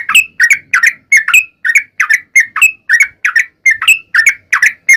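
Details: Sooty-headed bulbul in nonstop lure song meant to provoke other bulbuls to answer, a quick run of clear whistled, bending notes repeated roughly three times a second without pause.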